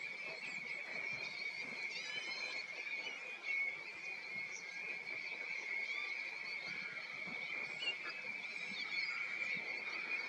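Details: Golden plovers in Co Offaly, Ireland, November 2020, likely wintering birds, give soft, plaintive high whistles overlapping into a steady, continuous chorus, with a few rising notes standing out near the start.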